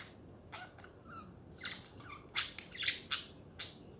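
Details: Budgerigar chatter, quick scratchy chirps and squawks that grow louder and denser toward the end, several sharp, bright squawks in a rapid sequence over quiet room hum.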